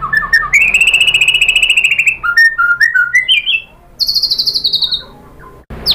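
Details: A long rapid trill opens this white-rumped shama lure song, followed by rich varied whistles and a high descending buzzy trill, meant to make other shamas answer.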